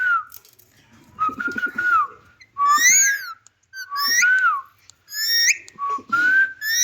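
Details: Indian ringneck parakeet, a talking pet parrot, producing clear whistled notes, some level and some sweeping up and down, in short bursts mixed with quieter chattering sounds.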